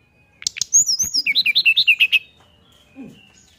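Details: A Sunda forktail sings with open bill to lure others into calling, giving a quick run of about a dozen high, clear whistled notes that bounce up and down after a few sharp clicks, then one soft low note.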